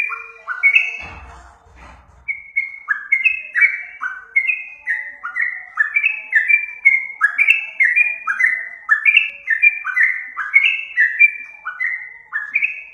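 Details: Yellow-vented bulbul singing for a bird lure: after a brief low rumbling noise, a long, fast series of clear rising-then-level whistles continues without break, pitch hopping between steps.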